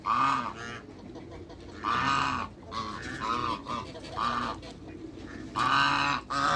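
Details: African geese on a waterbird farm in Greece, three birds met by the recordist, giving loud harsh honks in bursts, four main calls spaced about one to two seconds apart with quieter honking between.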